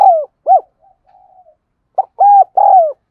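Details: Close, clear coos from a spotted dove kept as a lure bird: two rounded notes, a quiet drawn murmur, then three strong arched coos in quick succession, no other sounds.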